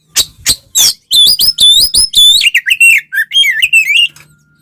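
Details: Oriental magpie-robin (kacer) singing a tarung konslet fighting song intended to provoke other magpie-robins: three harsh opening notes, then a run of bright whistled slurs dropping gradually in pitch toward the end.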